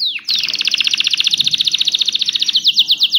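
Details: A canary sings a fast, bright trill of rapid repeated notes, shifting into a slower, rolling phrase near the end.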